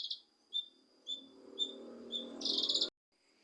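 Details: Cucak kinoi leafbird sounds played to stir a quiet bird into singing: short sharp chirps about every half second, then a harsh rasping burst, with a low rumbling background and a steady high tone.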